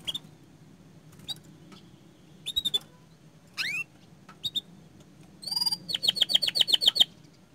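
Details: Canary singing energetically: scattered high, thin chips and a quick downward-sweeping phrase, then a bright, rapid trill of sharp repeated notes toward the end, over a low steady hum.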